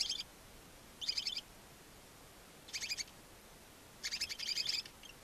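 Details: Two newly hatched barn owl chicks, alone in a nest box on a chimney in Ságvár, Hungary, on 23 April 2024, give thin, high, rapidly pulsed twittering bursts, each under a second, against a quiet background.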